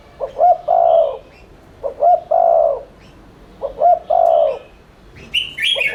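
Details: Spotted dove lure for stimulating cooing: three phrases of two short hoots and a long throaty coo every 1.8 seconds, then louder chirping of another small bird near the end.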